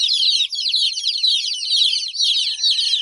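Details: Baby chicks chirping in a dense, continuous high-pitched chorus of overlapping peeps, with a faint steady tone toward the end.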